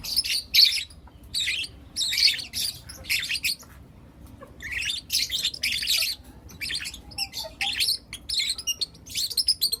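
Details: Lutino lovebirds, four young birds kept as pets, chirping in the morning: harsh, buzzy high chirps in rapid bursts and clusters, some squeaky notes, with brief quiet gaps between volleys.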